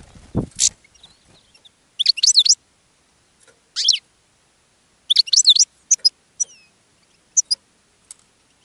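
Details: European goldfinch singing from a cage to draw in other goldfinches: a low thump at the start, then several quick, liquid, twittering bursts with rising and falling trills, spaced about a second or more apart, ending in scattered single chirps.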